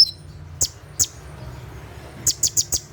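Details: Kolibri ninja sunbird at night giving its 'tembakan' song for training caged birds: two isolated piercing high ticks, a pause, then four rapid sharp ticks evenly spaced, over a faint low hum.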